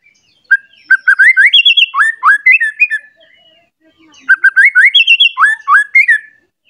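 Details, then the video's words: White-rumped shama, stirred up and seeking a rival, gives two similar phrases of quick rising whistled notes about three seconds apart, separated by a short pause. "Pancingan Murai Batu Emosi Mencari Lawan Bikin Murai Lain Langsung Emosi Bongkar Isian"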